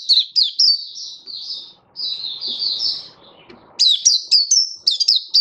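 Oriental white-eye singing a rapid, high, twittering run of short down-slurred notes, pausing briefly before resuming; a faint low rustle underneath.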